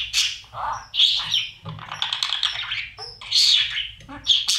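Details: Inside a budgerigar nest box, babies fed by parents: rapid high chirps and raspy squawks overlapping in a continuous noisy chatter, with short gaps.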